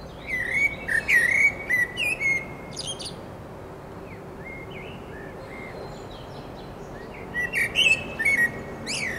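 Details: Common blackbird song recorded 29 June 2021: a phrase of mellow warbled whistles ending in high twitters, a pause with faint distant notes, then another rising, chattering phrase near the end, against steady low hiss.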